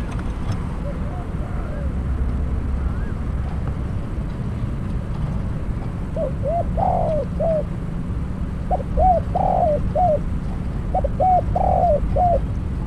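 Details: Decoy spotted dove used for trapping, quiet at first, then three cooing phrases: short hollow notes, a rolling croon, and a closing coo, over low rural background rumble.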